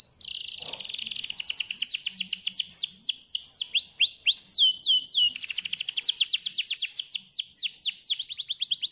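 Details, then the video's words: Canary singing to encourage a reluctant canary to sing: a long unbroken run of rapid high trills, rolling tours and repeated downslurred whistles, about four notes per second, with little background noise. "PANCINGAN KENARI AMPUH!!!!!!"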